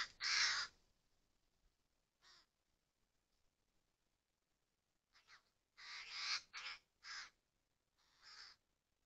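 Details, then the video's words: Common ravens, adults and young, in a forest of Murmansk region: harsh, raspy calls in scattered bursts, one loud call at the start, then a quick cluster of several rough calls, with quiet gaps between. "Вороны и воронята в лесу Мурманской области."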